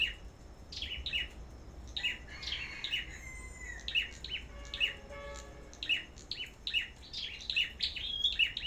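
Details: Sâu Đầu Đỏ songbirds kept at a bird farm in a singing contest: bright high chirps repeated about once a second, sometimes doubled, over a steady low background hum.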